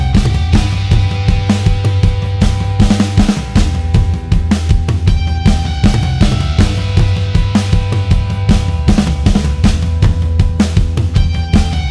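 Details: Steady drum-driven music with a thumping bass beat and no animal voice.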